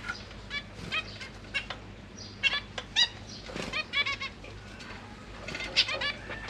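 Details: Caged zebra finches, a pair with three juveniles and three newly hatched babies, parents busy feeding the young; scattered short, bright nasal chirps with quick harmonic ticks, spaced unevenly across the recording over a low steady hum.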